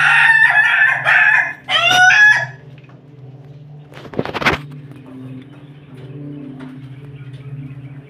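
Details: Crossbred Pelung x Bangkok chicken, a rooster, ending a crow with loud, rough, harmonic-rich phrases. A sharp knock follows, then a steady low droning hum.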